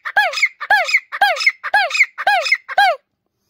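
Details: Free-living grey francolin (desi teetar) gives six loud, squeaky, ringing notes, each rising then falling, repeated about twice a second in a steady series.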